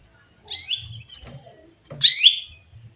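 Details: A female canary calls for a male with two rough, buzzy chirps, the second louder, separated by faint clicks and quiet.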